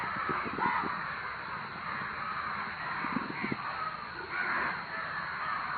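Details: Crows gather and call loudly, a churning chorus of harsh caws accompanied by rapid low tapping or clattering sounds in short runs.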